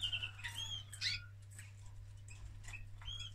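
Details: A male canary during mating gives a few quick, high whistled chirps and twitters, clustered early then sparse, over a low steady hum and faint tapping.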